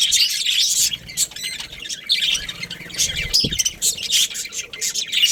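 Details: Pet budgerigars, a breeding pair kept with their family, giving dense, scratchy high chirps and squawks in overlapping bursts, with short pauses and a brief low thump near the middle.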